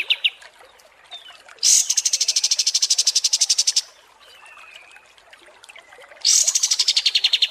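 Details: Kapas tembak singing, recorded to train competition songbirds: loud, very high rapid trills of dense buzzy notes, each about two seconds, with faint thin whistles between them.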